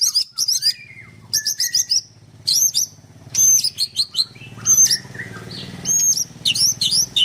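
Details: Song of a white-rumped shama (murai batu) kept at a bird farm in Kendal, 'nembak' style: clipped high chattering bursts alternating with long thin whistles and gaps, about one phrase every second.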